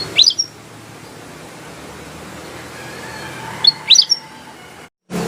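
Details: Black-headed bulbul singing actively: two short bursts of sharp, rising chirped notes about three and a half seconds apart, with quiet low background hiss between them, then an abrupt cut near the end.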